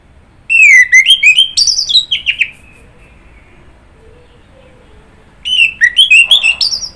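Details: Orange-headed thrush singing two long, fast phrases of bright, rising and falling whistles and sharp notes, separated by about three seconds of near quiet with faint low sounds.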